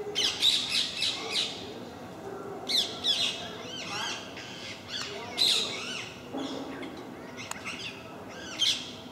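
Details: A group of parakeets making a racket on a regular visit to MK park: harsh, screeching squawks in overlapping bursts every second or two, some rising and falling, with softer chattering between them and faint background noise.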